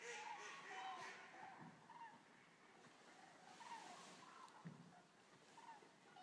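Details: Eurasian common cranes, a resting flock of about 200 arriving at the Centro Cicogne at Racconigi; many overlapping mid-pitched trumpeting calls scattered throughout, set against a steady broadband rushing noise.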